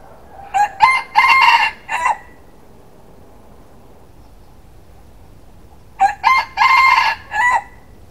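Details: A rooster crowing in the morning gives two full cock-a-doodle-doo crows about five seconds apart. Each is a loud, harsh phrase of four or five rising and falling syllables over a quiet background.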